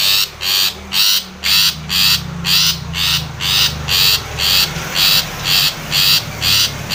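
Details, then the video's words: Long-tailed shrike calling to a rival, a lure meant to make other shrikes sing: a steady series of grating, buzzy rasps about twice per second for several seconds over a faint low background hum. "SUARA cendet gacor MEMANGGIL LAWAN"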